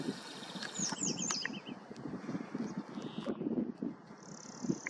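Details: Western yellow wagtail (Motacilla flava) in Galicia, Spain, gives a quick burst of thin, high, slurred chirps early on, over a steady low rumble of wind or distant traffic.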